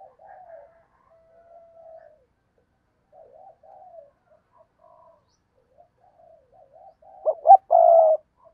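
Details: Spotted dove kept as a decoy to lure wild doves, cooing. Soft, low, wavering coos come in short bursts at first, then a loud two-note stutter is followed by a sustained, hoarse coo near the end.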